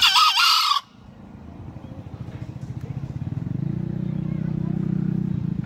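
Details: Green junglefowl crowing: one loud, brief, harmonic call with a dip in the middle, lasting under a second. A steady low engine-like hum follows.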